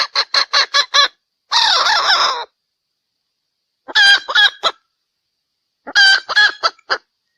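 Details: Female red junglefowl of Sumatra, used as a lure: a fast run of five clucks leads into a long, wavering, harsh squawk. Two later bursts mix clucks with short, ringing harmonic notes.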